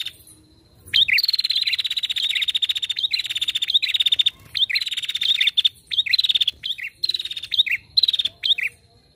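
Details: Female prinia (prenjak) calling actively, recorded as a lure: a sharp hooked note, then a long, fast, dry high-pitched trill, repeated in bursts with brief pauses over about eight seconds.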